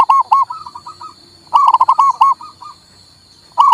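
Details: Zebra dove, a local male perkutut, played to stimulate a silent bird to sing: rapid bursts of soft rolling coos near one pitch, a long phrase around mid-clip, with a steady high electrical whine throughout.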